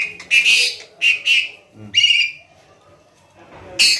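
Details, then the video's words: Tame Asian pied starling in full voice, giving a few loud, harsh, buzzy bursts separated by short silent gaps, with a faint murmur underneath. "Burung Jalak Suren Gacor dan Jinak"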